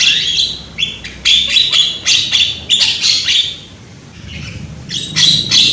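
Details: Loud young Javan myna, lure for prompting singing: fast, repeated harsh grating notes in quick bursts, with a short pause before a final loud burst.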